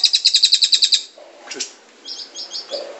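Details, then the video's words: Scarlet-headed flowerpecker, known locally as cililin, singing a rapid series of high, sharp ticking notes for about a second, then softer scattered chips and short high twitters. "SUARA BURUNG CILILIN GACOR"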